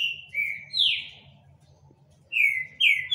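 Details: Rufous-bellied thrush singing two groups of strong falling whistles separated by a quiet gap with a low mechanical hum beneath.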